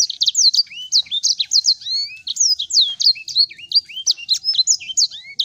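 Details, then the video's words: Sanger song used as a lure to make the bird sing: a fast, continuous stream of high, thin chirps and sharp down-slurred whistles, with occasional lower rising whistles mixed in. No other sounds. "Pancing Burung SANGER Macet Bunyi Agar Cepat Terpancing Dan Gacor Lagi"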